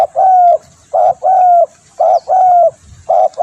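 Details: Spotted dove coos meant for attracting birds: a brisk pattern of one short note followed by a long, slightly falling coo, repeated about every second.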